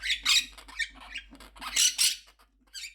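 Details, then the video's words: Pet monk parakeet indoors, described as very angry, giving loud, shrill, harsh squawks in quick uneven bursts with brief gaps, ending with a last short screech. "Quaker Parrot Loud Sounds"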